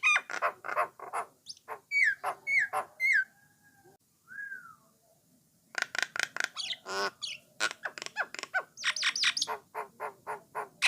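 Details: A Jalak Nias (Jalak Coklat) starling song meant to get other starlings singing: quick harsh chatter, falling whistles, a lone slurred whistle after a brief lull, then a dense run of sharp clicks and buzzy notes.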